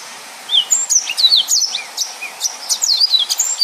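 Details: Yellow-fronted canary singing in the dense 'nembak' style: after a quiet half second, rapid high twittering of thin whistled slides and sharp chips, rising and falling in quick succession without pause.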